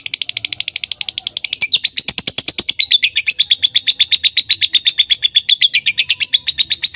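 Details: Lovebird giving a fast, steady stream of shrill, high chirps, nearly three per second, the notes bending slightly downward midway and running on without pause; quiet background.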